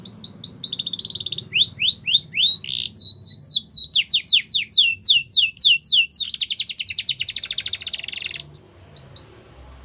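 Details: Song of a Yorkshire canary, used to train young canaries, made of successive tours of sharp descending whistled notes, a rolling rattle and a dense buzzy trill, each phrase repeated quickly several times.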